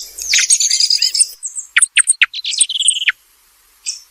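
A thrush sings a rich, varied phrase of high, tumbling twitters, then sharp clear notes and a brief buzzy trill, with short pauses between bursts.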